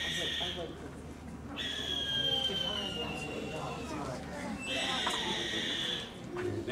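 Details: Recorded barn owl call played from a small device without speakers: long, harsh, hissing screeches, three rasping bursts of a second or more each, over room noise and faint voices.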